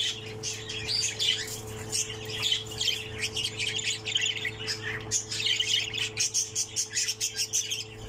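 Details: Texas clearbody opaline budgerigar chick, the last one left of six in the nest, gives continuous raspy, hoarse squawks that become rhythmic pulses toward the end, over a loud steady low hum.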